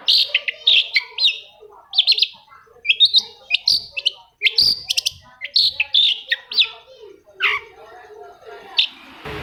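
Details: Long-tailed shrike song, played to prompt sluggish, silent shrikes to start singing; a rapid, varied run of sharp chattering notes, short whistles and harsh buzzy phrases, in near-continuous bursts about every second, with no other clear sounds.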